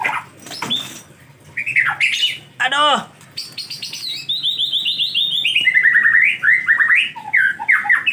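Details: Rainy-season white-rumped shama song, hard to bathe: loud varied phrases opening with sharp slurred notes, then a long fast sequence of rapid chirps stepping down in pitch and bouncing back up.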